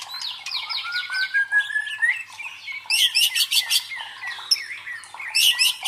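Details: White-rumped shama song played to build fighting spirit in contest birds: series of repeated descending notes, a long rising whistle, then bursts of fast high rattling trills and scratchy notes.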